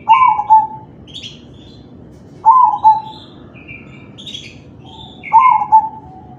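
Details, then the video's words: Singing crossing zebra dove in kalung tempuk style, meant to stimulate other doves: three mellow, rolling coo phrases roughly every two and a half seconds, each with a trilled start and soft ending, and high twittering birds between. "Suara perkutut crossing manggung || Perkutut crossing kalung tempuk || Pancingan perkutut lain"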